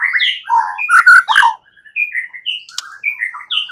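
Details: White-rumped shama singing in a fighting mood: a burst of rich, harsh mixed notes, a short pause, then separate whistled slurs and chips at varied pitches.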